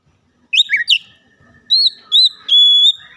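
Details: Oriental magpie-robin singing to draw out quiet birds: a couple of quick warbled phrases, then pure whistled notes, the last a long, steady whistle held for almost half a second in an otherwise quiet setting.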